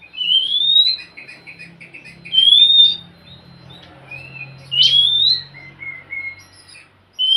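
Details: Oriental magpie-robin song used to encourage a quiet bird to sing: clear whistled notes rising steeply to a high pitch, repeated about every two seconds, with softer chattering phrases between and a faint low hum underneath.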